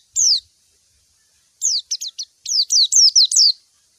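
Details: White-eye calling to a rival, a clear recording: high, thin descending whistled notes, one alone, then a short run of quick chips followed by a rapid series of about six sweeping downslurred notes.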